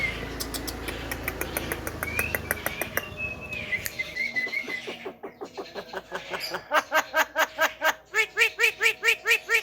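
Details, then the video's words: Javan myna voice used to lure and anger other mynas: a rapid ticking patter and a thin whistle over background noise, then loud repeated arched nasal notes, about three per second. "PANCINGAN SUARA KHAS JALAK KEBO PANDAI BICARA BIKIN JALAK LAIN EMOSI"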